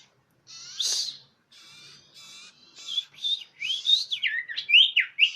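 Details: Common iora calling as a lure, clear and loud. Starts with long harsh buzzy notes, then a lively run of high whistled notes that bend sharply up and down and speed up toward the end.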